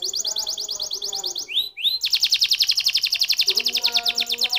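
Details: Canary trilling rapidly, breaking into two swooping upslurred notes before a very fast, loud, evenly pulsed rolling trill.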